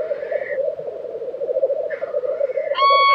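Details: Black grouse bubble continuously at a lek in Tiveden, Sweden, April 2023. Two drawn-out hissing sneezes sound, then a clear high whistled tone enters at the very end.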